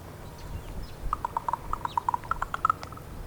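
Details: Female raven calling to her mate with a brisk run of about a dozen short, hollow knocking notes, evenly spaced and tightening toward the end, over low background rumble.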